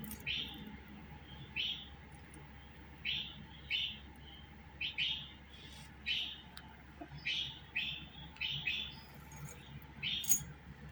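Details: Budgerigar giving short, bright chirps roughly every half second to second, each a quick rising-falling note, some in close pairs, over a steady low hum.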